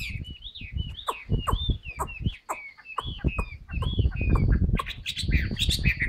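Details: Caged Chinese hwamei in new plumage singing with tail fanned: a string of looping whistled notes over heavy low thuds and rattling cage noise, growing busier and louder in the final seconds.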